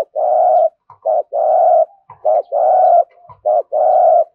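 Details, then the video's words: Spotted dove in thúc gù cooing, repeating a pattern of short clipped notes followed by a long resonant coo, about three phrases in four seconds, steady and clear with no other sounds. "cu gáy thúc gù"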